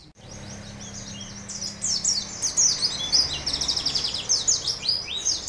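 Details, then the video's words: Canary song, a long-style recording used for training other songbirds: high, rapid chirps and downward sweeps, faint at first, then building into a dense, loud run of quick repeated notes, with a low steady hum beneath. "master pleci isian Cililin kenari panjang"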